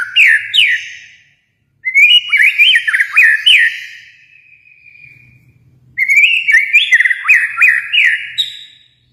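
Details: White-rumped shama from Kalimantan singing three bursts of bright, sliding whistled phrases separated by pauses, with a faint low hum between them.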